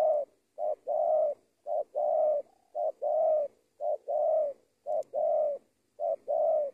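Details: Spotted dove in Indonesia, a decoy bird in training, repeating mellow paired coos about once a second, a quick short note then a longer level coo, loud and regular against silence.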